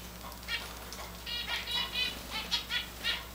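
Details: Hand-fed tame Java finch, also called Java sparrow or rice bird, kept alongside grey and white Java finches; a quick series of bright, clipped chirps, roughly three per second, over a steady low hum.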